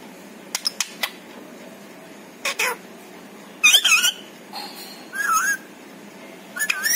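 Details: Pet parrot said to say many words including a cat's meow; a few dry clicks, then wavering, whining syllables resembling a meow, repeated three or four times with gaps.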